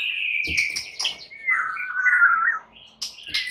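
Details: Fighter-class white-rumped shamas, almost all of them answering and worked up. Softer sustained whistles glide and waver in the middle register, cut by a few short sharp clicks, then a brief burst of high notes.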